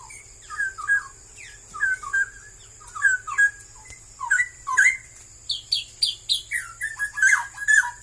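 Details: Straw-headed bulbul, known locally as barau-barau, a bird growing ever scarcer in Malaysia, pours out loud bubbling, liquid warbled phrases that rise and fall, delivered in bursts about every half second, over a steady electrical hum.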